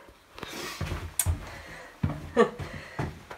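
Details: Indoor room sounds with speech, breathy bursts and knocks like a drawer or door, and no animal call present.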